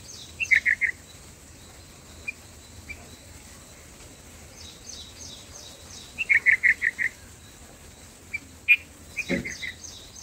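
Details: Black-headed bulbul at the nest while feeding chicks: short bright chirps in quick clusters of three to five notes, a burst near the start and another after six seconds, with scattered single chips and a faint wing flutter.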